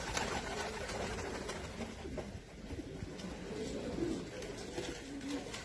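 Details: Pomeranian Pouter pigeons in Serbia: low, throaty cooing rolls through a noisy, echoing room, with other birds and faint background chatter mixed in.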